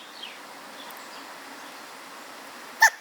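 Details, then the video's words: A young hooded crow fledgling with a serious case of hiccups gives one sudden, short, clipped mid-pitched 'hic' near the end after near silence, with a faint hiss of background air throughout. "Hic! Hoodie Baby Fledgling Has Serious Case of Hiccups"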